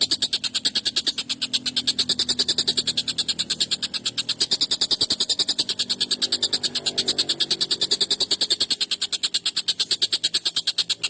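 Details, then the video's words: A long, harsh, excited call series from a collared kingfisher, used for training songbirds: fast sharp high-pitched notes repeated about three times a second without a break across the whole stretch. "SUARA TENGKEK BUTO GACOR EMOSI UNTUK MASTERAN PANJANG TAJAM KASAR"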